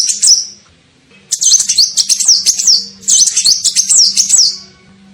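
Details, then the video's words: Sunbird, locally called kolibri ninja, in a lure call used to attract birds: high, thin twittering notes with sharp up-and-down slurs, a short burst, a pause, then two longer chattering runs; a faint low hum underneath. "SUARA PIKAT KOLIBRI NINJA"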